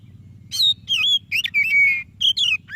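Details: White-rumped shama song to get a quiet shama singing: clear whistled notes, a long drawn level whistle, then quick falling and rising phrases, over a low steady hum.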